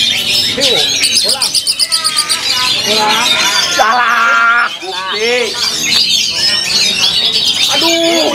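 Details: Oriental magpie-robin (kacer) from Karawang, Indonesia, singing in fighter style at a songbird contest on Sunday, 22 December 2019: rapid high buzzy trills and varied chattering, whistled phrases, set among other competing birds and loud crowd voices.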